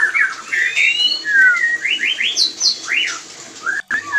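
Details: White-rumped shama mating sounds, used as a lure to bring other shamas into breeding condition; clear varied whistles, rising and falling slurs and quick upward sweeps in a rapid flowing phrase, with a brief dropout near the end.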